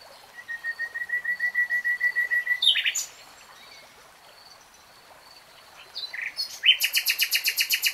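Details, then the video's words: Singing common nightingale: a row of about fifteen soft whistled notes that swell steadily in loudness, a sharp sweeping note, a pause, then a loud fast series of harsh broadband pulses. "BEST NIGHTINGALE SONG 3 Hours REALTIME Nightingale Singing"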